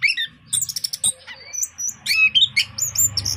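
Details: Caged orange-headed thrush in full, lively song: varied whistled phrases, some sliding and upward-swept, mixed with short sharp chirps, delivered in quick bursts with brief pauses; low steady background hum.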